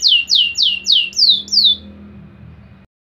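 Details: Canary singing in a contest before judges, six loud descending whistled swoops repeated about every quarter second, then quiet, with faint low room hum beneath.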